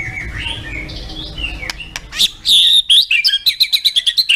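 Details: Contest-style shama song (tembakan): after a murky, noisy start, sharp high whistles and a fast series of bright chirps rise in loudness.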